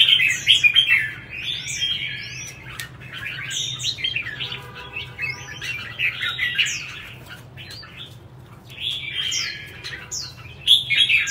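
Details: Red-whiskered bulbul singing in competition, with bursts of rich, rapid warbling phrases full of upward-flicking whistles. Quieter gaps fall between the bursts, and there are scattered clicks and knocks, like wing or perch noises.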